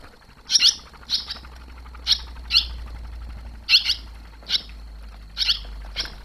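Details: Barn swallows on 21 July 2023, the day the young left the nest for good after first flying out two days earlier. Short, bright chirps come in quick pairs and triplets, repeated about every second, over a low steady hum.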